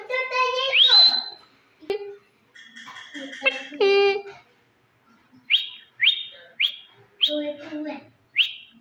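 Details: Pet rose-ringed parakeet in Pakistan, a talking bird, produces mimicked speech-like harmonic phrases, then a series of short rising whistled calls roughly every half second.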